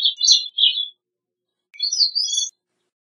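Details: Two short high phrases from a gray-cheeked thrush, the first falling and buzzy, the second starting low and then rising into thin, reedy whistles.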